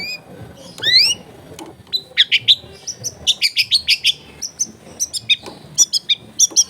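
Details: Long-tailed shrike in loud song for tutoring other shrikes: an opening sweeping whistle, then a long even series of sharp high notes, about three each second.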